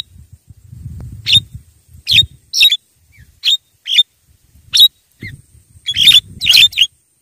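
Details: Calls of a Javan myna, used as a lure for wild birds: short harsh bursts repeated irregularly, roughly one per second, with low thumping noises in the first half.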